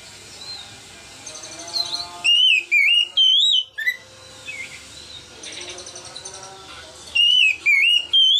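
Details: Ngeplong-style song of an Oriental magpie-robin, captured on a phone and meant to prompt juvenile birds to sing: bright whistles with upward and downward swoops in two bursts, with quieter chirps in between.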